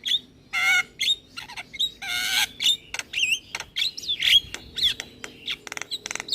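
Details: Energetic Javan myna singing with head-bobbing, used to stir lazy mynas into song: rapid varied mix of harsh rasping bursts, squeaky whistled slurs and clicks, barely pausing between phrases.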